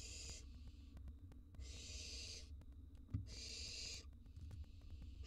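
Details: Wild barn owl chicks in a monitored nest box, being fed a gerbil and a mouse; rasping, hissing bursts about a second long repeat with short gaps, over a low rumbling background and one soft thump.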